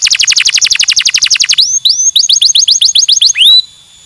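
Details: In a bird mastering recording, a fast rattling trill of high notes lasts one and a half seconds, then gives way to a rapid string of rising whistled upslurs and a final strong rising whistle.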